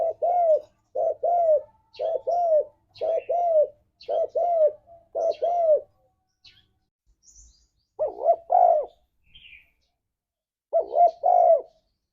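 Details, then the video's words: Tekukur (spotted dove) in 'ngalas' wild style, played to lure a pet dove into song: low hollow coos in quick pairs repeated about every second, a pause, then two more bursts of rising-and-falling coos; no other sounds. "Suara Burung Tekukur Ini Pancingan Tekukur Gacor Suara Ngalas"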